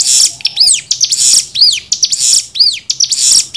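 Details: Cigun song in nembak variation, meant for training young birds: three arched whistled notes, each tied to a dense buzzy burst, delivered at about one per second.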